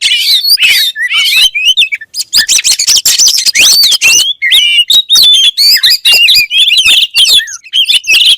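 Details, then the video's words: Oriental magpie-robin pouring out a fast, busy song of overlapping squeaky whistles, swooping slurs and rasping chips, with a short break after the opening phrases. "THE KACER BIRD IMMEDIATELY WORKS AFTER HEARING THIS VOICE"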